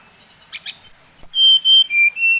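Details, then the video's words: Brown-chested jungle flycatcher, Bali type, singing to provoke others of its kind: one short series of pure, steady whistles that step lower note by note, preceded by a soft harsh sound. "Suara SRDC Bali Paling di sukai srdc lain | Pancingan Srdc bikin srdc lain naik emosi"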